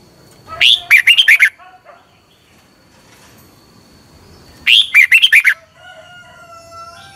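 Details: Training song of a Red-whiskered bulbul, Thailand, played to caged birds every morning: two cheerful phrases of fast rolling notes about four seconds apart, followed by a faint thin steady whistle.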